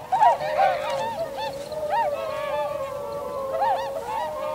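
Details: Group of Tundra swans in winter on 7 February 2015, calling continuously: repeated arched, nasal honking notes from several birds overlapping, about two or three per second.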